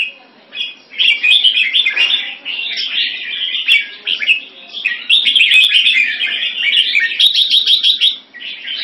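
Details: Red-whiskered bulbul singing in a competition in Singapore, first win: a near-continuous rapid stream of bubbly, warbled chirps, briefly dropping out twice, with faint sharp clicks in the background.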